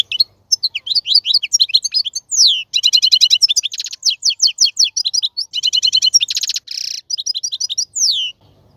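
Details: Adult male European goldfinch singing, a rich song offered for tutoring young birds: a long, rapid run of high twittering notes, fast trills and buzzy rattles, and a few sweeping downward slurs, with short pauses between phrases; no other sounds.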